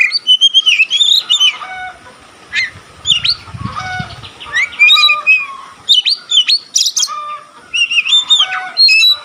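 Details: Oriental magpie-robin singing with fanned tail, a song reported to stimulate other magpie-robins; bright whistled phrases and sharp notes, a soft fluttering low rustle in the middle, then more song.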